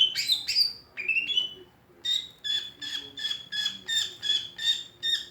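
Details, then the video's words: Greater green leafbird giving an unusual song: two harsh, noisy bursts, a short whistled note, then a steady series of sharp rasping notes, about two per second, each with a thin whistled tone. "Cucak ijo suara aneh tapi ngetrend"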